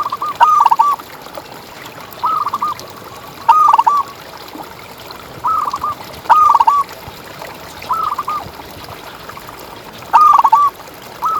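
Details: Local contest-champion zebra dove, a lively ngalas-style singer kept as a tutor and lure bird, repeating short stuttered cooing phrases roughly every one and a half seconds, eight phrases in all, over a steady low hiss.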